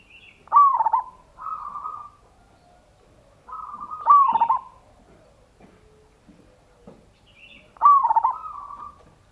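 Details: Local zebra dove giving ngayer kerot nutut song, used to lure other doves into singing. Three phrases about three and a half seconds apart, each a sharp stuttered roll followed by a smooth, flat coo.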